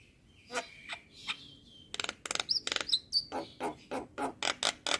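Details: Training song of a Javan myna (jalak kebo): soft whistled notes at first, then a rhythmic series of loud harsh rasping bursts about every third of a second with a few whistled slurs between.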